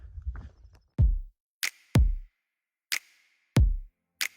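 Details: Electronic drum-machine beats with deep kicks and sharp snare hits at an irregular pace, with nothing from any animal.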